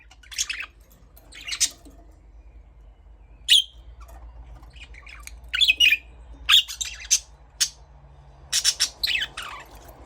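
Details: Budgerigar producing scratchy squawks and sharp chirps, sometimes in quick pairs, spaced irregularly over a faint low hum.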